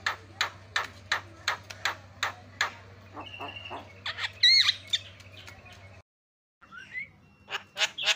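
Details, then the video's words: Starling bait sound meant to provoke silent starlings into chattering: harsh, clicky notes repeated about two or three times a second, then high whistled rising notes, a brief silent break, and more harsh chips over a low steady hum. "SEKALI PENCET JALAK LANGSUNG PADA CEREWET"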